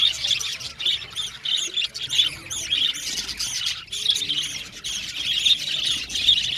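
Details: Budgerigars, a colony in an aviary, chirping and chattering together: dense, overlapping high warbles and squeaky notes run without pause, with short bright tweets standing out.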